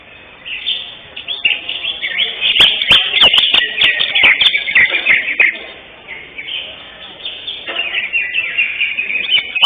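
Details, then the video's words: Contest-winning greater green leafbird, first place in session 5 at Kopdar Mahesa Jenar, 11 October 2025: rapid chattering and warbled phrases run almost unbroken, with a short lull near the end, sharp clicks and background voices. "JUARA 1 CUCAK HIJAU JENAR"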